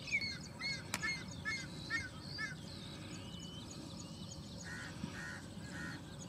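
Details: Yellow-wattled lapwing (Vanellus malabaricus), adults and juveniles present, Surajpur, Greater Noida, 21 July 2024: a quick run of sharp, clipped notes, then three short, harsher buzzy calls, over a steady low rumble.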